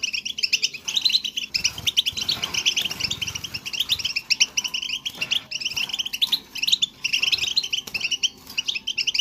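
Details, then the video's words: Continuous European goldfinch song, used to get a goldfinch singing: lively high twittering phrases of liquid and buzzy notes following each other quickly with hardly any break. "10 Minutes To Make Your Goldfinch To Sing!"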